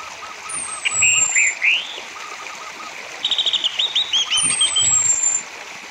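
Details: Orange-headed thrush song intended to encourage caged birds to sing: a thin descending high whistle opens each of two bursts of twittering, stuttered notes, over a low, steady series of chirps.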